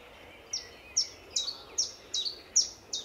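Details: Early-morning chiffchaff at Standalone Farm along the Letchworth greenway, March 2014, moving about and preening: seven bright, high notes, each dropping steeply, spaced roughly every half second. The steady squeaky-wheel rhythm sits over soft background birdsong.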